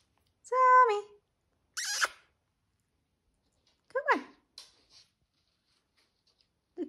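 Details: Pet African grey parrot indoors, teasing its younger bird brother with a spoken greeting. A clear tonal, harmonic-rich utterance comes first, followed by short squeaky, sliding vocal bursts separated by silences.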